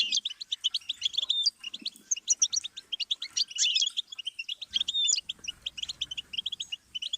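Goldfinch song: fast, tinkling twitters and bright trills in rapid bursts, several voices overlapping in a dense, high chatter with no pauses.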